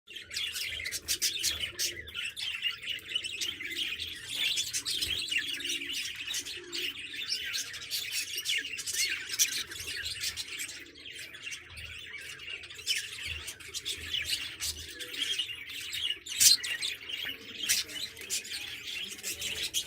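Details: A flock of large pure-white budgerigars of a double round-crested breed keeps up a steady chatter of high, rapid chirps and warbles.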